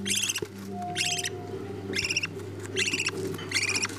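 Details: Chicks of budgerigars, fed by the parent birds, give scratchy pulsed begging calls in short bursts separated by brief gaps, over a low hum with a faint whistle-like tone.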